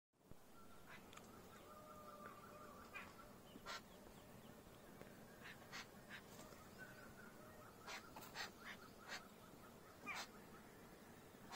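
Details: Red-billed blue magpie (Urocissa erythroryncha) at Sitabani Wildlife Reserve near Jim Corbett, Ramnagar, India, gives harsh, rasping notes in irregular bursts about ten times over a faint steady whistled tone and low hum.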